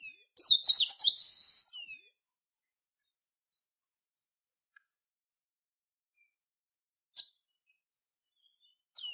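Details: One full song phrase of a chestnut-capped blackbird, with high whistles and a rasping buzz lasting about two seconds, followed by near silence and a couple of brief distant chips.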